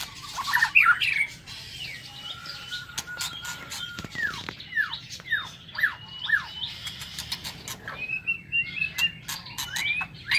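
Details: White-rumped shama singing in an aviary in the morning: clear whistled phrases with rising and falling slurs and sharp downward sweeps, interspersed with dry clicks and brief ticking notes, steady low hum underneath.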